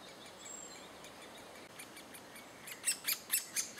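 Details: Great spotted woodpecker, June 2011, with adults feeding chicks; after nearly three seconds of quiet, a run of short, sharp, high ticking notes comes about four per second.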